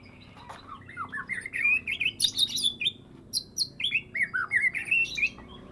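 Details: Pet Medan white-rumped shama after its first moult, singing a strong, fast series of rising and falling whistled notes about three per second, mixed with high sharp chips: the varied full-repertoire song known as gacor full isian.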